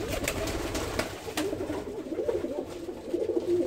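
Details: Imported ornamental pigeons, short-billed and kept as pets, indoors in a small room; low murmuring coos in bursts with soft rustling and tapping noises throughout.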